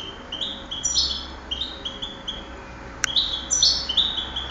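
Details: European goldfinch bred for song competitions, recorded 2008, repeating high clipped chirps and trills, a sharp click near the middle, then a louder buzzy twittering flourish; low hum throughout.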